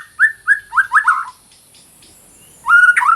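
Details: Energetic White-rumped shama song, recorded as training material for shamas that stopped singing. Five quick rising whistles run together, a short silence follows, then a steady clear note merges into an abrupt upward flourish.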